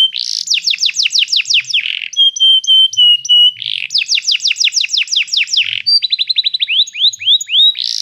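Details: Canary song used to train a canary: repeated fast falling sweeps, flat whistled notes, a second run of sweeps, then a rapid rolling series of short rising-falling notes.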